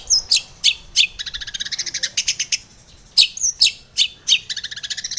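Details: Female long-tailed shrike, a morning lure for caged birds, mixing loud sharp whistled notes with quick rattling trills of buzzy chips, the pattern repeating after a brief pause.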